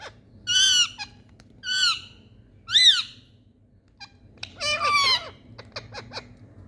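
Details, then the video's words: Happy Indian parrots at play, a series of loud harsh arched squawks about once a second, then a burst of overlapping chatter and quick clicks. "Indian Parrots🥀Playing Talking🍃 Mithu Mithu🍂Happy Birds"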